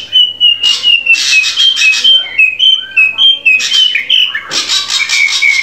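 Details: Drongo song meant to teach a captive bird to sing: a rapid run of clear whistled notes at steady pitch, mixed with harsh rasping bursts and a few falling slurred notes.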